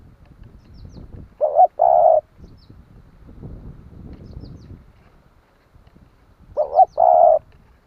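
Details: Spotted dove calling to stir other doves to answer. Two phrases roughly five seconds apart, each a brief broken double note then a sustained mellow coo, with soft low rustling noise between them.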